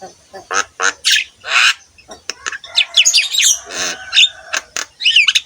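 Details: Javan myna singing as a tutor recording for caged mynas, mixing broad rasping squawks with clear whistled slurs and chattering notes, delivered in uneven bursts.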